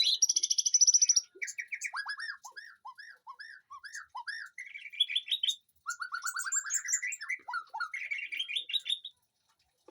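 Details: White-rumped shama singing in a garden aviary behind a house: a varied run of clear whistled phrases. A fast high trill opens, then a string of short down-slurred notes and rising buzzy sequences with brief pauses between.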